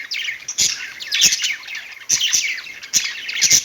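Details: Pet budgies on a perch giving a rapid, scratchy warble of chirps and squeaks in short bursts, with a few sharp clicks between them.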